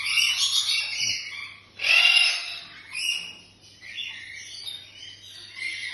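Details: Pet black-winged lory (blue-cheeked lory) in Bhubaneswar, Odisha, India: rough, hissing screeches in two main bursts, the first long and the second rising sharply, followed by quieter scratchy notes over a faint low hum.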